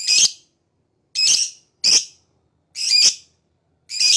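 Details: Lovebird chirping: five harsh, screechy, high-pitched bursts, each about a third of a second long, coming roughly once per second with clean silence between them.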